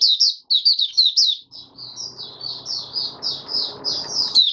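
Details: Oriental white-eye, local name Mata Puteh Raja, in open song five days after deworming, January 2022. Several sharp high chirps open the passage, then gentler drawn-out warbled notes continue over low rustling.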